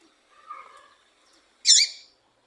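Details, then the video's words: A female double-collared seedeater gives a single sharp, high, twisting chirp, preceded by a faint, lower, wavering note; this female call is used to excite male seedeaters. "Piado de fêmea de papa capim"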